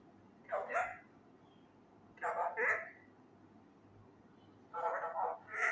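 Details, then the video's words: Three loud bursts of mimicked Urdu speech from a young male Indian ringneck parakeet practising phrases such as 'kia howa' and 'kia hogaya', each burst about a second long, spaced by quiet gaps. "MY Talking Raw Male parrot try to learn words loudly (kia bol rha ho me,kia howa,kia hogaya,Mithu he"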